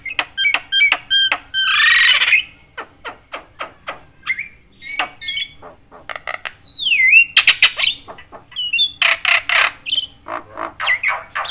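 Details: Javan myna calling busily to stir up other mynas: quick clicks and squawks, a long hissing rasp, a descending whistle near seven seconds, and dense grating bursts toward the end.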